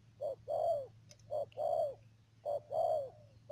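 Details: Spotted dove kept as a trapping decoy in Đầm Dơi, Cà Mau, Vietnam, March 2019, gives three paired coos, a brief note followed by a drawn-out slurred one, with a thin high whine and low hum behind.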